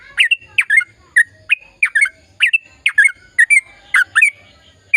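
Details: Lively sooty-headed bulbul delivering a long rapid song meant to prompt quiet birds to sing: bright, slurred chirps in quick irregular bursts, some doubled, over a faint sustained whistle.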